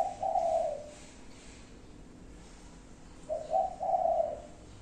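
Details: Spotted dove giving its five-note cooing, two low, soft cooing phrases about three seconds apart, each a short hoarse note followed by mellow rounded coos, with a quiet background.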